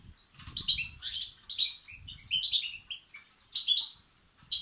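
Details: European goldfinch chicks begging, calls used to stimulate and excite males: high, harmonic chirping bursts in quick clusters, rising and falling, with brief gaps and a faint low rumble underneath.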